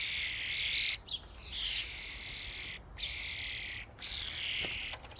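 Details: Common starlings crowding a feeding station as a flock, giving a thick wash of harsh, scratchy chatter that swells in second-long bursts with short quiet gaps between them.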